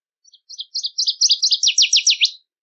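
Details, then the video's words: Wild Northern Waterthrush (Parkesia noveboracensis) song: quiet opening notes building into loud, rapid, ringing chips that accelerate and end in a burst of steep downward-slurred notes, about two seconds long, with no other sounds. "Birds Singing - Northern Waterthrush"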